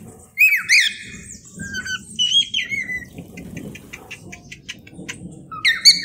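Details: Cockatiel sounds played to tame pet cockatiels: bursts of squeaky rising and falling whistles at the start, softer scattered chirps in between, and another sharp squawk at the close.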